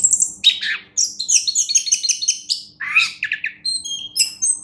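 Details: A champion orange-headed thrush produces loud, high whistles and quick stuttering trills, one lower slurred phrase in the middle, ending with thin, pure high whistled notes.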